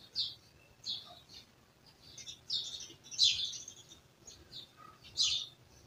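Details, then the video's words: Village birds chirping softly at a distance, with scattered high chirps and one longer trilled burst near the middle. "Village Birds Chirping"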